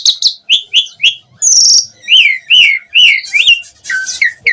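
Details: Asian pied starling singing as a lure for other starlings: a series of bright slurred chirps about twice a second, a buzzy high note, then harsher rasping phrases.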